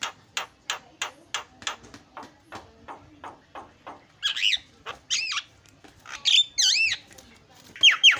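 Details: Starling lure to get other birds calling: a steady series of dry clicking notes, then several wavering, warbling whistled calls that swoop up and down.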